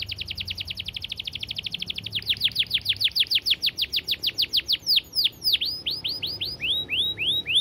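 Canary singing a dense, high rolling trill that breaks into rapid, bright repeated notes and then quick downward-sweeping whistles, with no other sounds.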